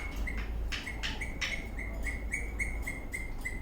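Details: Happy, dancing eastern rosella parrot chirps rapidly, about four short clipped notes per second at one pitch, with soft tapping noises early on.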